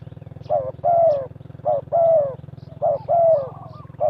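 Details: Spotted dove lure bird cooing repeatedly in a trapping setup: short coo, then a longer falling coo, the pair repeated about three times, over a steady pulsing mechanical hum.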